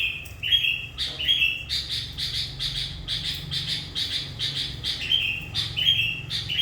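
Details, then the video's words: Sooty-headed bulbul kept as a lure bird, singing gacor-style: clear whistled notes slurring up and down, given in short bursts among fast, buzzy pulsed chirps that keep going throughout, with faint low rumble beneath. "Burung Kutilang qu dengan suara Gacor sudah ratusan Burung Kutilang yg berhasil di pikat nya."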